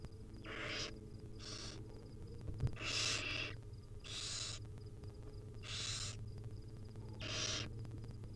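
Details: Nest-cam sound of wild barn owl nestlings begging while their mother feeds them tiny bits: frequent short hissing screeches from more than one chick, overlapping unevenly, with low rumbling hum and a faint thump.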